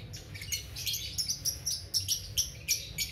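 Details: Young balibu lovebird delivering a long ngekek chatter: quick, scratchy high twitter notes in tight pulses, several per second with sharp accented peaks, over a soft low hum.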